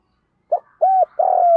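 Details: Decoy spotted dove calling to lure wild doves, giving a short low note followed by two sustained level coos, the last one longer and ending abruptly.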